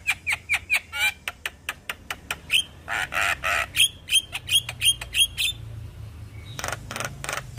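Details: Javan myna, a young bird chattering tirelessly all day, delivers a steady volley of sharp clicking notes, a few harsh buzzy bursts, then more rhythmic chips and a closing burst of raspy chatter.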